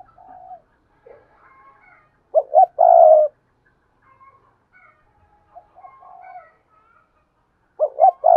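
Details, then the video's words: Lure spotted dove calling for wild doves. A full phrase of two clipped coos and a long, throaty, rolling note stands out among soft murmurs, and the start of another phrase follows near the end. "tiếng cu mồi thúc bổi và gáy gọi hay// Tiếng cu gáy mồi chuẩn kích bổi nhanh nổi"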